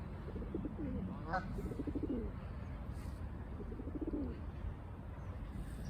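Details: Feral pigeons in Hackney, central London, in May 2022, cooing to one another: low, throaty rolling coos in two bouts, the second shorter, over a steady low city rumble.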